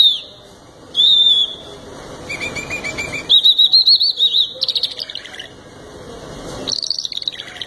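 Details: Canary song: a sharp whistled note, then a rapid pulsing run of rolled, warbling notes, followed by a buzzy chatter and a final bright trill.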